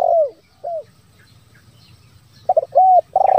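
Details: Spotted dove lure call, 'bero kuk, 1 lambung kuk' style, used so wild doves start calling: a rolling coo ends one phrase with a short hoot, and after a pause quick stuttered notes lead into a clear hoot and another rolling coo.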